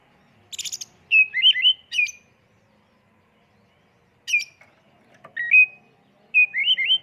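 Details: Oriental magpie-robin lure song in full 'isian' 'tembakan' style: short buzzy bursts and clusters of quick warbled whistles, coming in three separate bouts with silent gaps between.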